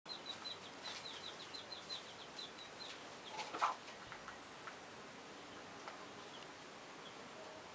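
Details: Small chicks with a chicken hen: faint, thin high peeps in quick runs over the first few seconds, then a sharp click and a quieter stretch with scattered soft sounds.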